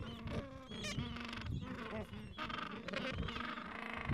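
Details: Falkland Islands gentoo penguin colony with two-to-three-week-old chicks, recorded on a mild afternoon at the colony edge; a dense, continuous chorus of hoarse braying and chattering calls with faint high peeps mixed in.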